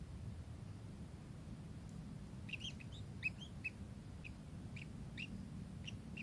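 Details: Kingfisher calling: after a quiet start, short sharp chirps break out from mid-clip, several in quick bursts, over a constant low rumble of background noise.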